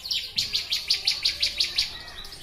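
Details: Bar-winged prinia song, recorded for training birds: a steady string of about ten crisp, high, clipped chirps delivered several per second, fading out at the end.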